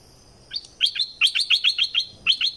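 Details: Streak-eared bulbul, southern Thailand, pouring out a fast run of bright chirped notes, a brief pause, then a couple more quick notes, all crisp and high.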